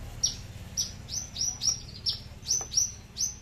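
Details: Loud aliena-type Horsfield's bushlark from Papua, a tame kept bird, singing high piercing notes that drop sharply, delivered in quick irregular bursts of one or two, with no bass; steady low hum behind.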